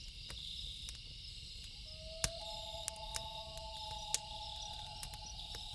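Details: Loons at night give long, steady, haunting notes; a low tone begins, then a slightly higher one joins and both hold for seconds, beneath a dense cricket chorus and sharp crackles of burning wood.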